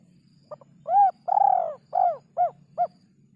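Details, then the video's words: Spotted dove (derkuku) song in a rare rhythm: a short clipped note, then arched coos that grow shorter and quicker, the second long and rolling, with a faint low hum underneath. "burung derkuku iramanya yg sangat susah di temukan"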